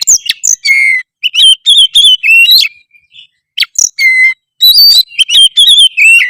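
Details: Oriental magpie-robin singing hard (gacor), meant to draw a response from other magpie-robins: long varied sequences of pure whistles, sharp chips and falling slurred notes, with a brief pause in the middle.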